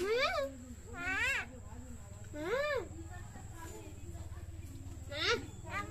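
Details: Talking common myna gives a few loud, rising-and-falling voice-like syllables separated by pauses, over a steady low background hum.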